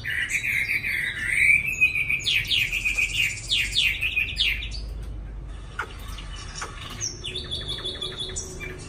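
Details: Chinese hwamei kept in a small cage in Hanoi, Vietnam, newly arrived. Loud, clear whistled phrases waver and rise, then break into rapid repeated slurred notes before fading into softer high twitters.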